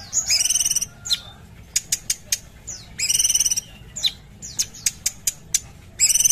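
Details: Sumatran bulbul in full, prolific song: loud, rich, harmonic bursts of rapid high notes about every three seconds, separated by single sharp clicking notes and brief downslurred whistles.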